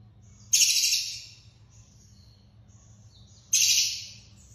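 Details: A long-tailed shrike, on material used to train captive birds, utters two grating, broadband shrieks three seconds apart, each trailing off, separated by faint high whistles over a low background hum.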